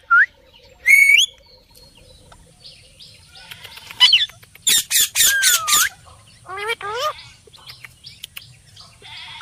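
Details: Parrot producing scattered squawks and rising whistles, then a burst of loud rapid harsh chatter and a long descending whistle, with short warbled notes afterward.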